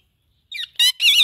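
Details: Talking Indian ringneck parakeet giving three short, loud, harsh squawks in quick succession after a moment of silence, the last one longer and wavering.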